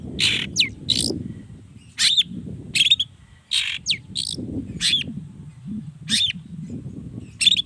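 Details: Long-tailed shrike singing to draw answers from other shrikes; rasping bursts and sharp rising whistles recur about once a second over a steady low rumbling background noise.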